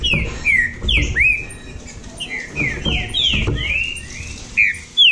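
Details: Green-winged saltator (trinca-ferro) from Bahia competing: a quick string of rich whistled notes, some rising, most falling, over steady low rumbling noise.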